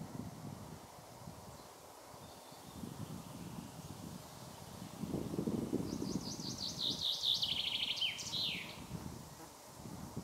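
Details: Common chaffinch song heard midway: a bright, high, rapid trill descending through several note groups and closing with a quick flourish, over steady low rumbling background noise.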